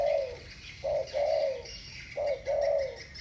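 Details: Two spotted doves singing thổ bầu style against each other; hollow coos come as a brief note then a sustained descending tone, in three loud phrases with pauses between, soft chirping behind.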